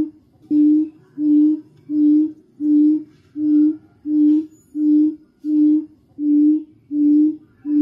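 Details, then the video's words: A quail gives low, hollow hooting notes, each about half a second long, repeated steadily about every second with no other sounds. "Tiếng chim cút kêu | Asmr quail sound"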